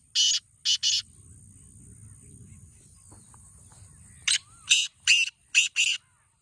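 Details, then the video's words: A black francolin phrase ends in three rasping notes. After a quiet pause with a low rumble, a fresh grating phrase of five harsh notes follows. "Black Teetar Voice/Kala Teetar ki awaz"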